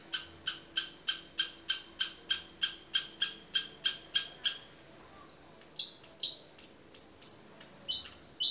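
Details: Long-tailed shrike singing actively in 'toet miyik' style, meant as tutor song for other birds: steady harsh rasping notes about three per second for five seconds, then higher, sharp down-slurred whistled notes in quicker succession.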